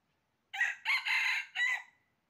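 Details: A single red junglefowl crow recorded during trapping on 20 January 2023, loud and harsh, rising through short opening syllables into a sustained middle and a trailing final note, with no other sounds.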